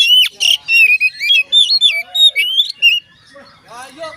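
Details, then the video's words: Oriental magpie-robin singing to prompt other magpie-robins to join in: a fast series of loud, varied whistled notes, some rising and some falling, followed by quieter softer notes toward the end. "dijamin Kacer lain ikut bunyi"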